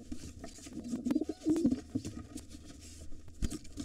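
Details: Low pigeon coos bunched around one to two seconds, among knocks and scuffles, as a white father pigeon fights a gray intruder trying to take over the nest with his two nestlings.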